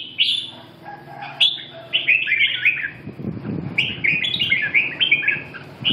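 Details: Red-whiskered bulbul giving rapid, cheerful warbling phrases, one burst after another with brief gaps. Some scratchy low rustling sounds in the background midway through.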